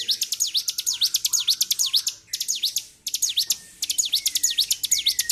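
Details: Provoked bar-winged prinia, 26 February 2023, pouring out phrases of fast sharp high chirps with short gaps between them. A fainter rising whistle joins near the end.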